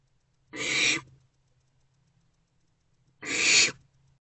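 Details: Two rasping, broadband hisses from barn owlets huddled in a nest box in the small hours of 2 March 2024, each about half a second long and spaced nearly three seconds apart, with a low steady hum between them.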